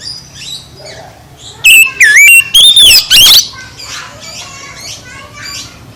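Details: Oriental magpie-robin song, loud playback meant to rouse a sluggish magpie-robin into singing: a burst of rich, loud whistled phrases, sliding and warbling, lasting about two seconds amid quieter chatter and faint background hum.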